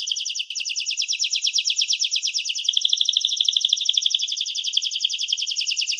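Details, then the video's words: Canary singing in 2017: a continuous rapid rattling trill of high, tightly repeated notes sustained for six seconds, slightly shifting in speed and tone, with no other sounds. "Canary-Canario Singing 2017(Kanarya Ötümü)"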